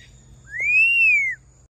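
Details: Hand-reared pet hawk-headed parrot, in a good mood, gives one long pure whistle that rises smoothly, holds, then falls, with faint background hum.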